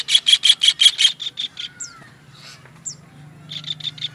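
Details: Master recording for songbird training: a kingfisher's rapid harsh notes, six loud then several softer. A quiet spell follows with two thin high falling whistles, and a final short burst of rasps closes the clip.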